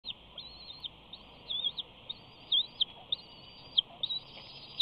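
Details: Bald eagle at the Big Bear nest, close in front of the nest camera while preening and stretching, 5 June 2019: thin, high squealing chatter notes, some with a rising-then-falling wobble, spaced irregularly against a steady background hum.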